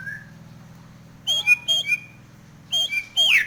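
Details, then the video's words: Nias hill myna in breeding condition, head-nodding as it sings: a soft opening whistle, then paired loud clear whistled notes with short hooked slurs, ending in a sharp rising-falling squeal over a steady low hum. "Suara burung Jalak Nias Gacor Mangut manggut Isian Istimewa Teplekan"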